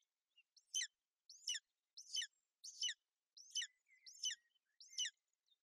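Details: Bucovina golden eagles, the female brooding her chick against inclement weather on 28 May 2021; seven bright, descending chirped calls, each under half a second, spaced fairly regularly, with soft thin whistles between them.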